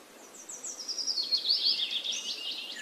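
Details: Orange-spotted bulbul giving a brief, continuous high chattering phrase of quick squeaky notes that rise and fall over a soft background hiss.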